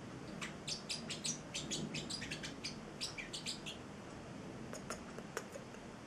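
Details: Young male Celestial parrotlet, eight weeks old and kept as a pet, chattering in quick, high, sharp chirps that cluster in the first four seconds, then thin out to a few isolated ticks against a noisy indoor background.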